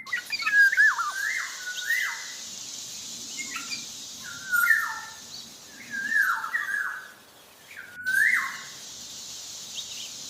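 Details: Actively singing Javan black-naped oriole, delivering short mellow whistled phrases that climb and then plunge, repeated roughly every one to two seconds against a continuous high hiss.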